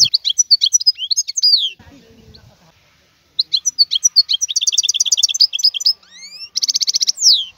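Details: Wild European goldfinch song: bright twittering phrases, a pause with a brief low murmur, then renewed chirps, rising slurred whistles and a dense buzzy trill.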